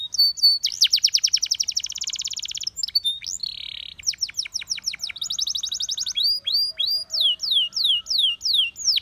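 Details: Russian singing canary in song aimed at luring other canaries: a fast rattling trill, a short buzzy note, then a run of clear downward-slurred whistles.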